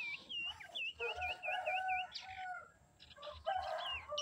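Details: Female common iora singing as a lure to provoke males: a run of loud, wavy whistled notes repeated about twice a second, with lower steady whistled tones beneath and a few soft low thumps.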